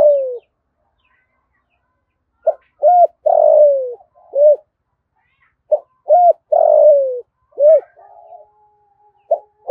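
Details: Spotted dove cooing to provoke other doves: loud, clean phrases of short hooting notes followed by a longer falling coo, the phrase repeated after a pause, with no other sounds.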